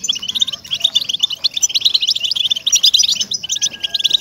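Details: Captive-goldfinch motivation track of European goldfinch song: busy jingling chatter of short high chirps and buzzes, nearly continuous, ending with a short pause and a thin steady whistle tone.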